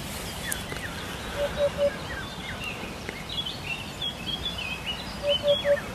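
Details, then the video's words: Hoopoe recorded as training material for songbirds, giving two bursts of three soft, low, hollow hoots, each a quick evenly spaced 'hoop-hoop-hoop', over a constant background hiss with thin, higher chirps from other birds. "MASTERAN PALING DICARI BURUNG HUT HUT INI SANGAT ISTIMEWAH SEKALI"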